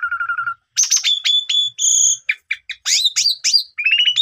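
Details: Asian pied starling singing to draw silent birds into song: a low pulsed note, then high sustained whistles, sharp varied notes, and a closing rising pulsed series.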